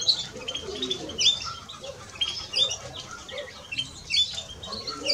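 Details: Male and female European greenfinch giving sparse, sharp chirps and short twitters, spaced a second or two apart. Soft, low notes sound in the background.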